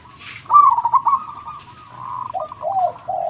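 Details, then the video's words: Loud local Indonesian perkutut, the zebra dove, singing to stimulate lazy birds or lure wild doves. A long rolling coo fades, then two lower, downslurred notes and a final held low coo follow. "Perkutut Lokal Gacor Suara Super besar"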